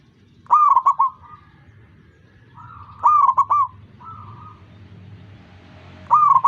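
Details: Perkutut or zebra dove singing to get other doves to join in: clusters of three or four quick ringing notes roughly every two and a half seconds, with softer answering notes between.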